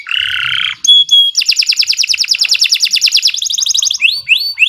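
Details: Canary song, loud and long, recorded for tutoring: a harsh buzzy note, a pure whistle, then a very rapid high rolling trill ending in rising slurred whistles.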